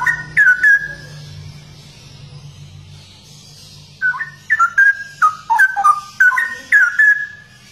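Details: Brief opening flourish of whistles, a three-second quiet gap, then a rapid, warbling string of downward-sliding fluty notes from a Straw-headed bulbul, called cucak rowo locally and noted for its rare, unique song.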